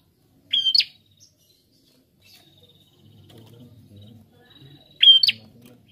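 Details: Prinia song: a sharp high whistle ending in a buzzy upsweep, heard twice several seconds apart, with a faint low murmur between.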